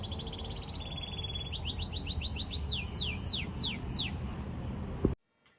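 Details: Masteran bird song to draw replies from other birds: a run of quick high pips, then a series of rapid downward-slurred whistles accelerating over strong steady hiss, ending abruptly.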